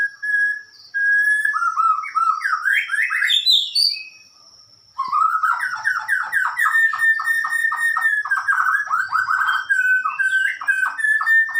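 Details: White-rumped shama singing loud, varied whistled phrases: rising sweeping notes, then a long run of rapid repeated downslurred whistles, a brief pause near the middle, and faint high chirps from other birds behind.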